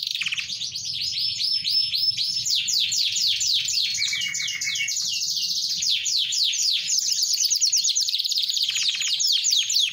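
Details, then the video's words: Canary in full, energetic song, rapid repeated high sweeping notes and rolls, briefly dropping to a lower steady buzzy trill midway before returning to quick bright phrases. "Kenari sf nb19 gacor dor"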